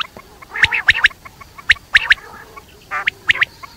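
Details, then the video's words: Quail heard at night giving quick, piercing high notes in twos and threes, about one burst per second, with a brief harsh buzzy note between them. "batair rat wali awaz"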